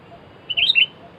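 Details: Sooty-headed bulbul heard while being lured for trapping, with two birds taken: a short bubbly phrase of three clear whistled notes, rising to a sharp peak and then falling, set in near silence.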